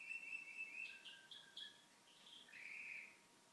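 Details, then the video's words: Home canary singing near TV viewers; a rapid high trill, several short bright bursts, then a warbling rolled trill at a lower pitch, all quickly delivered. "Canary making beautiful sounds"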